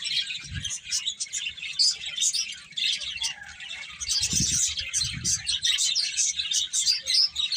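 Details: Several birds chirp continuously with sharp, high tweets in pulsing bursts, and a couple of dull low bumps are heard midway.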